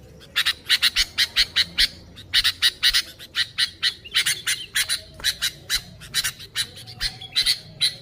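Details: Lively sooty-headed bulbul, recorded without added sounds for luring bulbuls, delivering a long run of rapid harsh squawks, about three per second, steady and scolding in tone.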